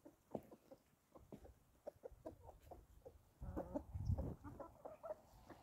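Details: Outdoor chickens feeding, with short, sharp clucks spaced unevenly, then a louder cluster of clucks and low scuffling sounds in the last seconds.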